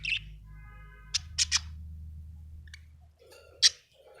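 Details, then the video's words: Happy budgerigar with scattered sharp high chirps and short clicks, a few seconds apart, over a faint steady low hum in a quiet room. "Happy budgie chirping sound"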